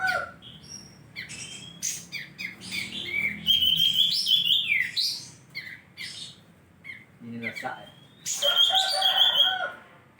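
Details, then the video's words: Kapas tembak bulbul, Mukomuko, singing energetically: quick sequences of sharp chirps and thin whistled trills, loud bursts separated by quieter gaps, with a low rumbling background. "kapas tembak /blom bukor gacor"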